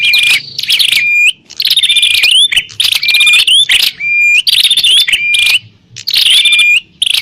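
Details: Bar-winged prinia in a loud fighting call to draw in wild prinias, with repeated phrases of scratchy buzzing chatter and high thin notes, each ending in a level whistle that bends upward, roughly every one to two seconds.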